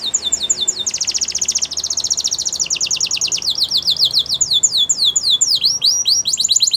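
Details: Song of a Belgian canary meant for training young canaries: fast, high, repeated downward-sweeping notes rolled into rattling trills, changing speed and pitch every second or two, over a faint low hum.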